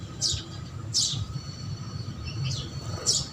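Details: House sparrows feeding on food set out for them; four separate sharp, high chirps spaced roughly a second apart over a constant low background rumble.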